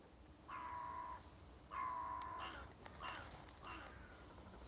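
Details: At Castle Water, Rye Harbour, a wetland with reeds, a crow gives three harsh, drawn-out caws about a second apart. Faint high chirps from small birds sound in the background.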